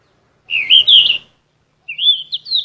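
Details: Yellow-rumped flycatcher in full lively song, used to train caged songbirds: a strong twittering phrase with bright whistled notes, a short gap, then a rising series of thin warbled whistles.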